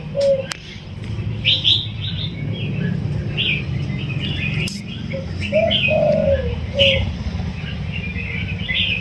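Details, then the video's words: Spotted dove, a wild-caught bird caged for 16 days, cooing in the single-kuk 'yon kuk diao' style with a soft, sweet voice; a few low hooting notes come in short bursts while small birds chirp busily above and a low rumble continues throughout. "คลิปเสียงนกป่า อายุกรง 16วัน มาให้ชม ขันโยนกุกเดียวเต็ม เสียงเพราะ เสียงนุ่ม ฟังแลัวสบายหู"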